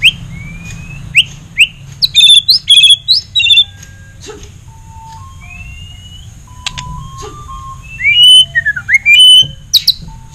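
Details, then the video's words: White-rumped shama (murai batu jabrik), a main prize winner, singing at the Piala Ronggolawe Cup 1 song competition in Gelanggang Pemuda Mataram, Lombok. Clear whistled slurs, then a rapid burst of sharp notes, a pause, and another varied whistled phrase over a low hum. "Suara Burung : Murai Batu Jabrik"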